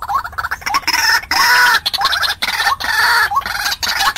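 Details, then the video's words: White-breasted waterhen lure sound for attracting wild birds to a trap: rapid harsh, rising-hooked notes running into a long loud croaking phrase, then more repeated notes. "Tiếng quốc mồi gọi bổi"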